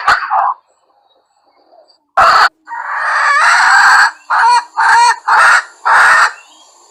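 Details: Calling wild junglefowl hen, recorded to lure others: after a short note and a pause, a long harsh drawn-out cackle followed by four evenly spaced, clipped, throaty notes with a quavering edge.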